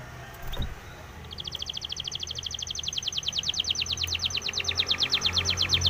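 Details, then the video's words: Spanish Timbrado canary training song: after a soft click, a rapid high metallic trill starts and continues steadily, growing slightly louder, over a faint low hum. "SPANISH TIMBRADO SONG FOR TRAINING - canary training song"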